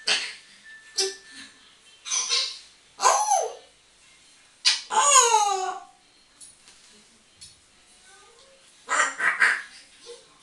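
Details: Pet African grey parrot talking and whistling indoors: a series of sweeping, harmonic squawks and slurred whistled phrases in bursts roughly every second, with quieter chatter between.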